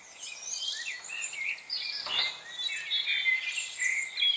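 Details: A busy flock of chickadees on November 25, 2020, calling without pause: overlapping high squeaks, thin whistles and buzzy notes, with a brief soft rustle near the middle.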